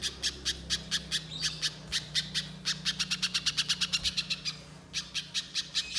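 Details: Spiderhunter sound played as a lure to prompt singing: bursts of harsh chipping notes that speed into a dense rattling run midway, then slow and resume after a short pause.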